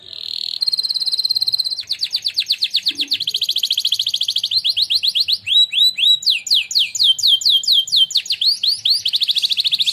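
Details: A contest-winning canary named Napoleon Bonaparte, in a training song, sings a long, unbroken run of bright, high trills, shifting every second or two between rapid rolling tours and sweeping whistled notes.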